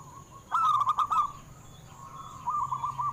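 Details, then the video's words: ['Local zebra doves, recorded to coax captive doves into singing, give a short burst of quick coo notes with a few clicks, then softer trailing coos after a quiet pause.'] "Perkutut Lokal BIKIN GEGER - Suaranya mengundang BUNYI"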